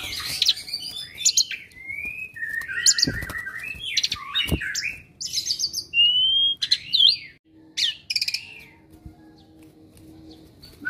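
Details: Asian pied starling, described as entertaining company and a sharp mimic of other species, delivers a loose string of harsh chatters, slurred and clear whistles, broken by several loud knocks and clicks.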